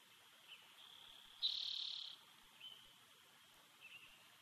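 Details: Solitary bald eagle eaglet at the Big Bear Valley nest, nest-cam footage from June 2019: a brief faint peep, then a clear high whining note near the middle lasting about 0.7 seconds, followed by two more soft short peeps amid steady hiss.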